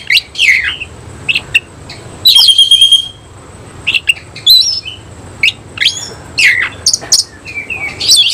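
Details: Oriental magpie-robin of the semi cililin kind belting out song with a spread tail; scattered sharp chirps and whistles, with a buzzy, rattling phrase near the middle and quick sweeping notes after it.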